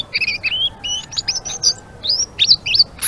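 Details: Blue-winged leafbird singing actively in the chattering ngeriwik style: quick, varied whistled notes, some rising and some slurred, in short bursts about three per second, high-pitched and clear over faint background hiss.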